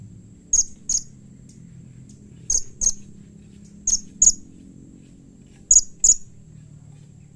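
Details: Blue-crowned hanging parrot producing a call that other hanging parrots quickly respond to: high, sharp notes in closely spaced pairs, repeated at intervals of roughly one and a half seconds, with a steady low hum behind.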